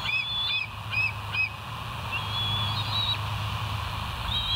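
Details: Wild bald eagles filmed by a nest cam at West End on the morning of 8 August 2023. Quick, high, squeaky piping notes repeat in a rough series and then give way to a longer thin whistle, all over constant low rumbling noise.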